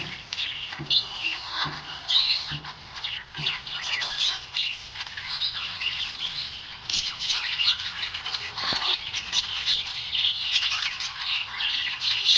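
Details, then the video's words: Happy budgerigar in a continuous warbling chatter of dense, scratchy high chirps and clicks, with a few soft low thumps early on. "Happy budgie chirping sound"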